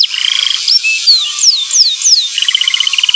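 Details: Canary song used to coax a young canary into singing, over steady hiss: a rolling trill, several sharp descending whistled sweeps, then a quick beaded trill.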